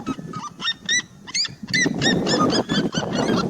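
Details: Rapid series of seriema yelps, each note sharply rising then falling. The calls start spaced out and then quicken into a tight chattering run, over low rumbling noise.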